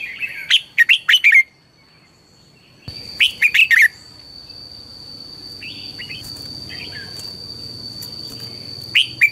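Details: Red-whiskered bulbul singing in the morning as a training lure: a fast burst of sharp whistled notes, a silent gap, another burst, then mostly soft hiss with a few faint notes and a final sharp note.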